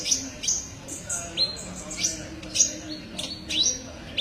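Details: Olive-backed sunbird (kolibri ninja) singing for a songbird tutor recording: thin, high, rising whistled notes spaced about every half second over a quiet low hum.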